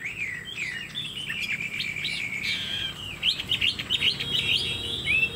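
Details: Caged Chinese hwamei with a spread tail delivering rich, fast-changing whistled song, smooth slurred notes blending into quick rolling trills and sweeping upward phrases.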